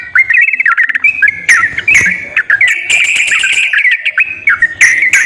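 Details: Sooty-headed bulbul, a caged bird used to prompt a reluctant one to sing, giving loud bubbly warbled phrases of quick slurred notes, broken by sharp clicky bursts, with soft low background noise.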